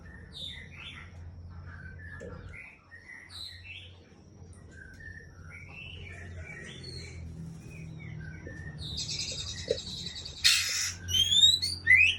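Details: Murai Aceh white-rumped shama hen singing scattered short whistles and chirps, some paired and some rapid, over a low rumbling background, ending with a harsh noisy burst and fast high twittering.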